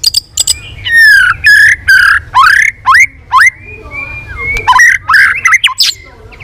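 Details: White-rumped shama giving a competitive, varied song with tail flapping: descending and rising whistled phrases, loud and clear, then softer twittering notes toward the end.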